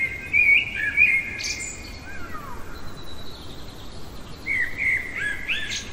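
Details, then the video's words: Common blackbird singing in the middle of the night: low fluty warbled phrases, a short descending slur, then thin high squeaky notes, followed after a pause by another mellow phrase ending in a high twitter. "Merle chantant au cœur de la nuit"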